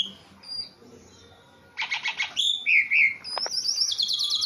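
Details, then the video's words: Tame pet Javan pied starling in lively song: after a quiet start, a burst of harsh buzzy notes, two slurred whistles, then a high, rapidly trilled passage to the end. "Jalak suren jawa super jinak dan gacor"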